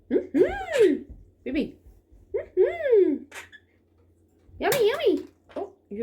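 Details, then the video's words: Pet Quaker parrot talking and whistling indoors: bursts of nasal, word-like phrases with arching up-and-down tones, in three main groups separated by short pauses, with a faint low hum beneath. "Quaker parrot talking whistling"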